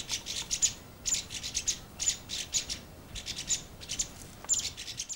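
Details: Red-flanked bluetail, a winter visitor to the lower hills, calling with separate bright, high, clipped chirps in short bursts, irregularly spaced about two per second, with quiet gaps and little other sound.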